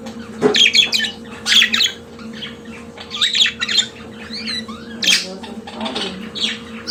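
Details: Pet budgerigar singing a chattering mix of grating squawks, soft clicks and brief slurred whistles in loose bursts, set against a continuous low indoor hum.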